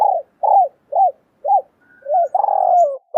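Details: Spotted doves, male and female, in a recording used to lure wild doves: a brisk series of rounded coos about twice a second, ending in a longer, wavering, drawn-out note.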